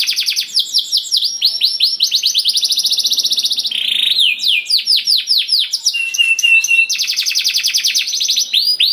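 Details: Lure song of a canary for setting other canaries singing, with rapid rolled trills, runs of curved upswept notes and short flat whistles in varied, continuous phrases.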